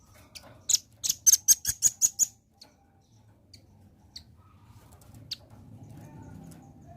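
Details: Velvet-fronted nuthatch, played as a lure to make the bird respond quickly: a quick run of about seven sharp high ticking notes over roughly two seconds, then a few isolated faint chips and soft background noise.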